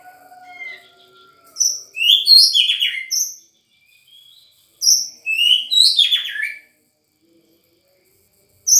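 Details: Sangir-type white-rumped shama giving two rich phrases of fast, descending whistles and trills mixed with sharp high chips, each about one and a half seconds long, with quiet gaps and a faint low whistle at the start.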